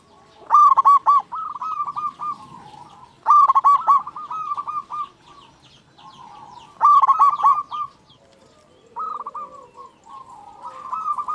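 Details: Vigorous local zebra dove song, kept as a lure to stir other doves into singing: loud staccato coo clusters about every three seconds, each followed by a softer rolling trill of notes at the same pitch.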